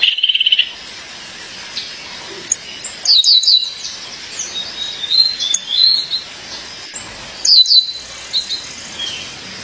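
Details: Female violaceous euphonia calling to her mate, giving a rapid buzzy trill at the start, then groups of sharp high chirps and thin descending whistles recurring every few seconds.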